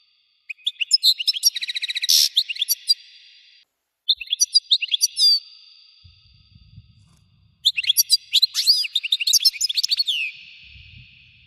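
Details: European goldfinch song used to stimulate goldfinches to sing: three bursts of high, rapid twittering with buzzy trills, sliding whistled notes and quick chirps, split by brief pauses, over a faint low rumble.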